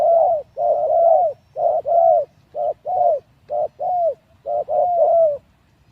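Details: Caged spotted dove used as a decoy to lure wild doves, three days after leaving its breeding cage, calling loudly and close in rapid runs of hollow, slightly falling coos, about nine notes grouped in short and long pairs, little background noise.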